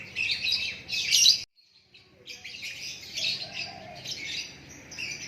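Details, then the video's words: Loud varied whistles and chatters from a white-rumped shama, pausing for about a second before continuing with softer, busy phrases. "Lakbet super kicauan natural"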